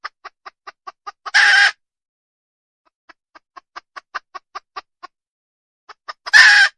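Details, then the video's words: Red junglefowl hen in the wild giving rapid, evenly spaced clucks that run into sudden loud, rasping squawks, then further cluck series and another harsh burst. "Suab poj qaib qus tsauj dib tuaj zoo heev"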